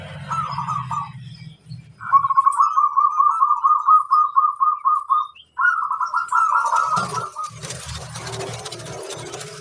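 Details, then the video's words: ['Local zebra dove song used as a training recording to prompt other doves to sing: rolling, trilled coos around one pitch in three phrases, the middle one long and evenly pulsed, with a low rumble and a burst of broadband noise near the end.'] "Sang masteran burung perkutut - terapi supaya cepat bunyi"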